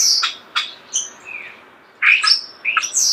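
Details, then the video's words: Short starling phrase close to the listener: high sharp squeaks and clicks, a soft descending whistle, then another burst of shrill squeaky notes. "The song of the starling"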